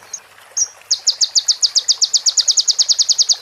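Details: A sunbird (konin) training recording, filled with phrases of the female prenjak and the ciblek: two short high notes, then a fast, even run of about twenty sharp, high chips at roughly eight per second. Nothing else is heard.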